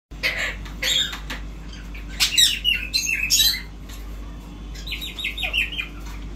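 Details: Indian ringneck parrot, said to talk amazingly, giving a busy run of harsh squawks and short chattering notes, then a series of quick rising whistled chirps near the end; steady low hum underneath.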